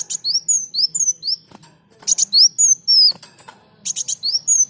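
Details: Sunbird (kolibri daun) singing vigorously for training other birds: three fast phrases of high, thin slurred whistles, each opened by harsh clicking bursts, with short gaps between.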